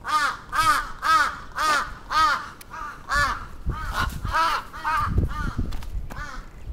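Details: Attacking crow, Atsubetsu Ward, Sapporo, 27 June 2017: rapid harsh caws repeated about twice a second, loud at first and then mixed with low thuds and rumbling noise in the second half.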